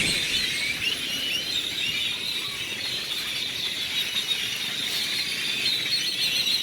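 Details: Many grackles crowd a city square in Celestún, Mexico, birds fed there every morning; a dense, unbroken chorus of shrill squeals and high whistles overlaps continuously with no pauses.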